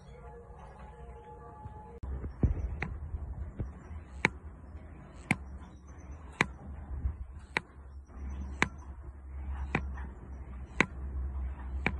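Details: A brief tonal hum opens, then sharp knocking taps repeat roughly once a second over a steady low rumble, with no animal voice.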